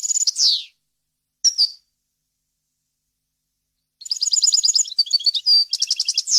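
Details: Wild-style European goldfinch song recorded for teaching young birds: a falling slur and a brief chirp, several seconds of silence, then a rapid burst of bright twittering and buzzy notes.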